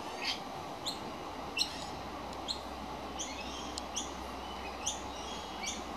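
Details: Young magpie begging because it is hungry: sharp, clipped calls repeated about every three-quarters of a second, fairly even in loudness, against constant low background noise.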